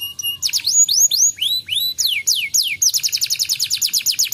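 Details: Canary song used as a lure to stimulate a canary reluctant to sing: brief steady high notes, then looping rising-and-falling whistled sweeps about four per second, sharp downslurs, ending in a fast even trill of repeated notes over faint low hum.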